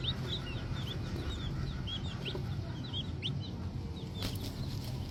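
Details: Tiny green junglefowl chicks calling with thin, bent chirps in a loose chattering series, one sharp upward note standing out; a low hum underneath and a rustle near the end.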